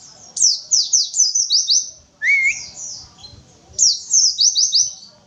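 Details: An untrained Oriental white-eye sings 'witwitwit': two bursts of five or six shrill down-slurred chirps flank a short rising whistle with a brief buzzy note.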